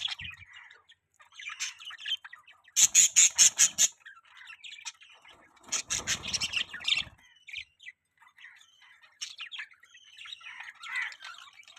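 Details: Pet budgerigars chirping: a dense stream of quick, high chattering chirps and short warbles, broken around the middle by two bursts of loud, harsh rapid pulses.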